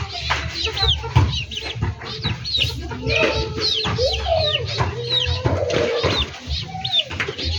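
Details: Backyard poultry flock with overlapping high chirping calls and lower wavering clucks, set against steady low background rumble.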